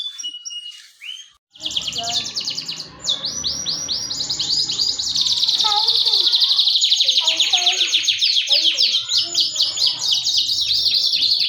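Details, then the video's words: Full-singing canary pouring out dense, loud rolling trills and fast repeated sweeping notes after a brief pause, the song building and continuing without break over a low background rumble. "ڈنڈا سٹارٹ کنریfull started canary"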